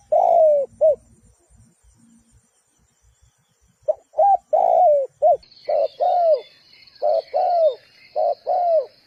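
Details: Spotted dove used as a decoy for trapping: series of hoarse, falling coo notes in short groups, then a long, faint, steady high hiss or insect-like tone under the later coos.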